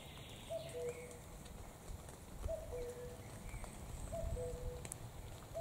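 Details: A common cuckoo (Cuculus canorus) sings its falling two-note 'cuck-oo' three times, roughly every two seconds, over a steady low rumble of wind.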